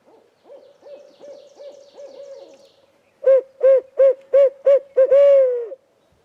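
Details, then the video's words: During a spring turkey hunt, a barred owl in the trees answers a hunter's calls in the evening. Quiet quick hoots lead into a loud burst of about six punchy hoots, closing with a long, sliding downward hoo. "not your normal turkey activity as kevin exchanged communication with this barred owl"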